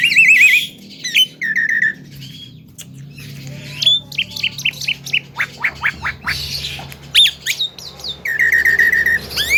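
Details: Javan pied starling, a young bird kept as a future contest bird and described as chatty and able to talk, giving loud squawks, whistled trills near repeated notes and a run of sharp rising chips.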